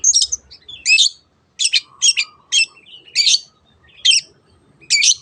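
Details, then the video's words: Long-tailed shrike song used as a lure to get other birds singing: loud harsh squawking notes repeated about once a second with short soft warbles between them. "SUARA BURUNG CENDET TEOT TEOT pancingan AGAR BURUNG MANAPUN IKUT GACOR"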